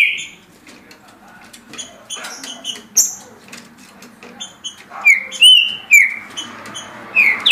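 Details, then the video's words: Green-winged saltator singing at 17 songs a minute; after a quiet, rustling start, several bright whistled notes slide downward near the end, with faint clicks in the background. "Trinca Ferro Senhor dos Anéis Passando 17 Cantos por Minuto"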